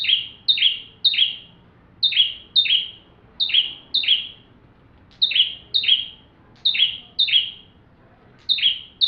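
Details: Lively full song of a bar-winged prinia suited to training magpie-robins; around fifteen high double notes, whistled then buzzy and descending, delivered in quick clusters of two to three.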